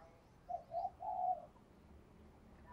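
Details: Caged lure spotted dove calling: two short soft coos followed by a longer, slightly falling hollow coo, set against a steady low background hiss.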